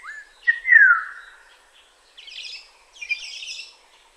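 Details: Black-naped oriole in Kaohsiung City on 9 May 2016 gives a short upward note, then a clear mellow whistle gliding downward, followed by two bursts of higher, scratchy chattering.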